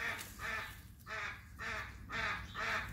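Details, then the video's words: Hyacinth macaws at play give harsh, nasal calls with rich overtones. About six calls come in three seconds, evenly spaced, over a quiet background. "Hyacinth Macaws playing"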